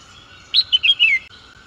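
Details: Red-whiskered bulbul: a short burst of four quick, bright whistled notes, the last one sliding downward, over a steady low hum.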